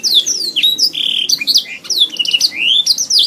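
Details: Canary song offered as a master recording to train pet songbirds: a continuous, fast stream of high whistled sweeps and downslurs, with short buzzy trill sections and a sustained flat note, barely pausing.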